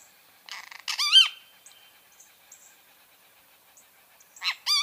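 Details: Great kiskadee giving clear arched, harmonic notes in two groups, one near the start and one at the end, each led by short buzzy bursts, with quiet between and a faint thin whistle.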